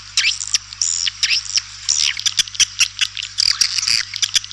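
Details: Swiftlet lure sound (suara panggil walet) of the white-nest swiftlet: irregular high twittering chirps with down-slurred notes and sharp clicks, separated by short gaps, over a steady low hum.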